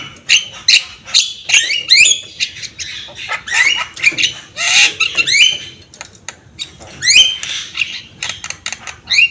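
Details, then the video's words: Javan myna singing energetically while bobbing its head, made as a training recording; a dense run of harsh squawks, sharp clicks and upslurred whistles in quick irregular bursts. "Masteran jalak kebo gacor full manggut-manggut masteran burung jalak kebo bahan."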